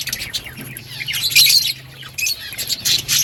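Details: Budgerigars eating green food, giving a dense stream of high, scratchy chirps and squawks that overlap in quick bursts, with louder clusters near the middle and end.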